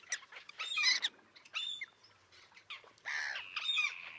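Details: Rough, nasal common tern calls with some drawn-out grating notes, irregularly spaced, from a small colony with chicks on concrete near a sea mole 1.5 km offshore, Liepāja, Latvia, June 2024.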